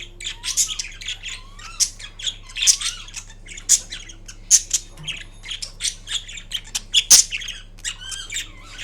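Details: Drowsy green Indian ringneck parrot at rest producing a steady run of high chattering squeaks and short squawks, some notes rising in quick upward slurs, spaced roughly every half second.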